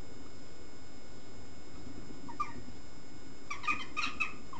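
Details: Western jackdaws at a gathering of many birds, 22 May, give short, sharp 'chak' calls, a single one then a quick cluster near the end, over steady low background rumble.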